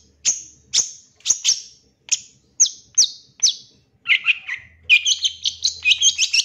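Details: 2023 champion long-tailed shrike lure song, used so a shrike sings fast and grows agitated: sharp high descending whistled notes every half second, then quicker mixed chattering and whistled phrases.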